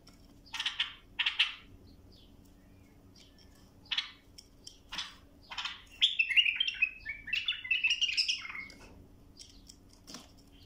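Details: Bulbul used as a tutor for young birds: several short harsh chirps spaced a second or two apart, followed by a longer bubbling warble of rich whistled notes with a low hum in the background.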